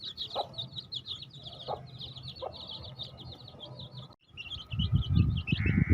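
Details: Chorus of baby chicks giving high, quick peeps without pause, a few lower clucks mixed in, then a sudden thump, brief quiet and rumbling handling noise as the chirping continues.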